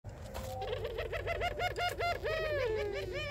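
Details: Barbary dove (puter pelung) calling males in a melodious, rhythmic pelung voice: a quick run of wavering, bouncing notes with bright overtones, ending in a longer sliding note.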